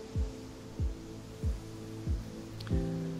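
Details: Music only: a low thud falls in pitch about every 0.6 seconds under sustained tones, with no animal voice.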